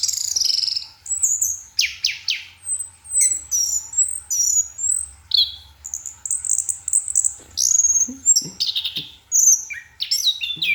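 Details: Orange-headed thrush (anis kembang) singing at night in a long continuous stretch of high varied whistles, rasping notes and quick slurs, phrases following closely one after another; a faint low hum stays in the background.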